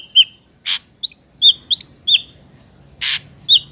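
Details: Ashy drongo song recorded in nature: clear, flicking whistled notes repeated irregularly, broken by two loud harsh rasping bursts.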